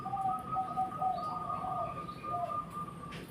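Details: Zebra dove song in a recording paired with sooty-headed bulbul: soft, low cooing notes in a rapid run of short segments, quiet against background hiss, with a steady high whine throughout.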